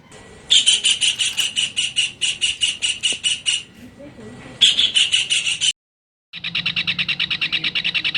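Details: Kingfisher used as a tutor recording for training songbirds: loud, shrill, harsh notes in quick runs of about three per second, broken by short pauses and a sudden silent gap, then resuming in a steady series.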